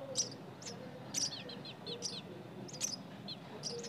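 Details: Nestling birds calling: quick, very high, thin chirps and squeaks in short clusters, some doubled, repeated several times a second over a low background hiss.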